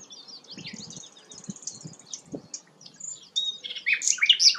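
A flycatcher sings a stream of thin, high chirps and squeaky notes that grow louder and busier at the end, over soft low thumps.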